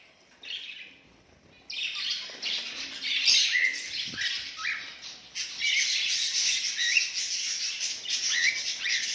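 Zebra finches chatter with busy, nasal beeping calls, several birds overlapping almost without pause.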